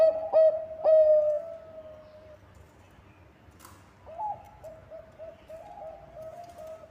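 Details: Zebra dove of the Bangkok type, singing actively as a lure for other birds: two loud punchy coos and a long trailing note, a brief click, then softer, quicker repeated cooing notes.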